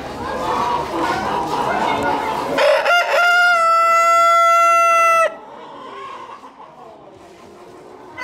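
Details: New Hampshire rooster, a dual-purpose chicken breed, crowing once: a long, sustained, harmonic-rich crow lasting about two and a half seconds, preceded by noisy background chatter and followed by quieter ambient sound.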